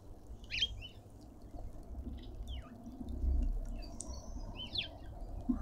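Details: Small high chirps, several sliding quickly downward, scattered irregularly as cut-throat finches fight for their share at a garden feeder in Pretoria, South Africa; constant low hum underneath.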